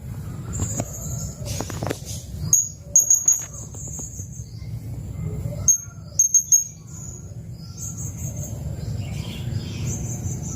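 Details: Blue-crowned hanging parrot giving long song bursts as a training recording for white-rumped shamas: scattered very high, thin notes and short clusters of sharp chips, with steady low background noise throughout.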